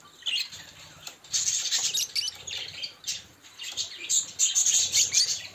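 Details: Budgerigars kept as pets, including a green one; continuous high, scratchy chattering and chirps with warbled squeaks, dense and overlapping, with faint low background hum.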